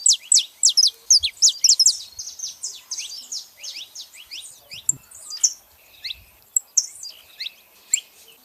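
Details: A female and a male saffron finch chattering: a rapid opening burst of shrill, downslurred high notes, then sparser, uneven chips and faint twitters, with a few low thumps in the background.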